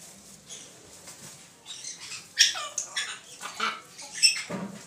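A macaw gives harsh, raspy squawks in uneven bursts, loud and broad, with a few scratchy shorter notes between.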